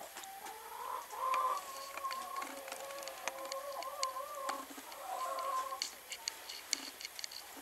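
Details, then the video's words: Speckled Sussex hen calling while laying an egg: a steady run of nasal, harmonic clucks that swell and dip over several seconds, with faint clicks and light background hiss. "Speckled Sussex Hen Laying an Egg"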